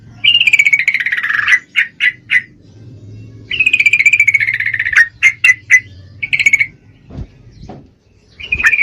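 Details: Female yellow-vented bulbul in breeding condition calling the male: long descending chattering runs alternating with clusters of sharp clipped notes, over a steady low hum in the background.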